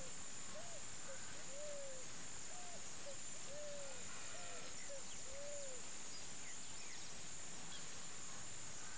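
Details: Picazuro Pigeon, a wild bird from Campo Grande, Mato Grosso do Sul, Brazil, giving its cooing song: a repeated phrase of two short coos and one long, swelling coo, cycled three times, with a constant high insect drone behind.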